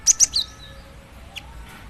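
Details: Cinereous tit female calling for a male, giving three rapid high-pitched squeaky chirps at the start, followed by near silence with one faint thin note later.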